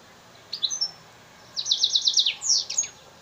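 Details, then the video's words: African singer × Mozambique serin F1 hybrid, a cage bird in Souk Ahras, Algeria: brief twittered notes, then a quick high trill of repeated buzzy notes and descending slurred whistles. "Hybride F1 chanteur d Afrique x serin Mozambique يخدم تغريد"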